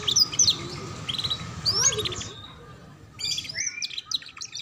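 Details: Young-canary training song in the ngeriwik style, with scattered high chirps and short slurred whistles over a steady background hiss and low hum, the phrases uneven and partly masked.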